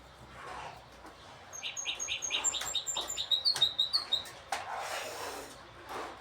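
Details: Goldfinch hybrid singing among several birds: a run of rapid high twittering notes and thin whistled trills, repeated briskly in the middle of the clip, with quieter chirps before and after.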